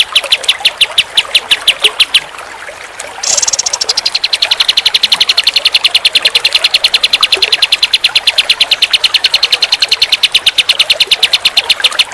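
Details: Pied triller singing a long, fast run of sharp, high chipping notes, loud and evenly pulsed, shifting partway into a denser, quicker buzzy trill that continues to the end.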